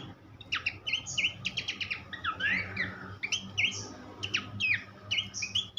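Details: Horsfield's babbler song for tutoring songbirds: quick bursts of whistled slurs and buzzy trills separated by short pauses, somewhat softer, over steady low background noise.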